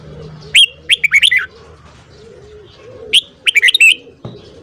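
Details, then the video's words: Red-whiskered bulbul in morning song, intense 'căng lửa' delivery. Two matching phrases, each of five or six quick, bright, slurred whistles, come about two and a half seconds apart. A low muffled knock sounds near the end. "Luyện giọng chào mào hót sáng .kích giọng chào mào hót hay"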